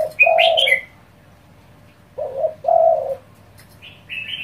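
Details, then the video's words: Spotted dove in fast provoking calls: low drawn-out coos, the second preceded by a broken double note, mixed with high bright chirps and whistles from another bird. "cu gáy thúc dồn kích bổi cực nhanh | tiếng chim cu gáy kích bổi | chim cu gáy gù"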